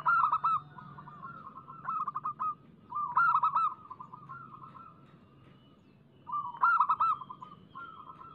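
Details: Local zebra dove singing as a lure to start other doves: three loud phrases of rapid pulsed cooing notes, each followed by drawn-out trilled coos, with softer calls and low hum between.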